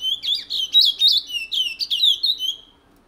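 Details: French Guiana pet Chestnut-bellied Seed-Finch, owned since 1986, delivering a Matiti-style regional song: about three seconds of bright, rapid warbling whistles and slurred up-and-down notes before falling silent, in a quiet room.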